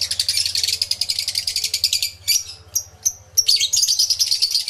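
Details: Many lovebirds in an aviary, recorded in stereo with a camera and two external microphones: a continuous stream of rapid, rattling, high-pitched chirps, briefly broken, then dense shrill chatter again.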